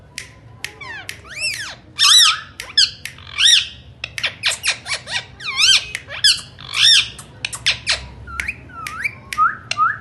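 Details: Talking Indian ringneck parakeet in steady chatter: loud grating squawks in quick bursts mixed with clicks, squeaks and downslurred whistles, pausing briefly between runs, with faint room hum behind.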